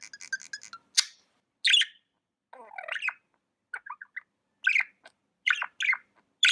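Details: Budgerigar kept as a pet, chattering in rapid clipped chirps, then harsher squawks and grating buzzy notes, followed by a series of sharp short tweets spaced roughly half a second apart; no other sounds.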